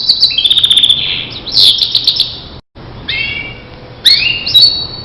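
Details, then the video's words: Starblue canary training recording with broken phrases: a few high trills and whistles separated by quiet gaps and one abrupt silence. "Masteran Suara Kicau Kenari Starblue"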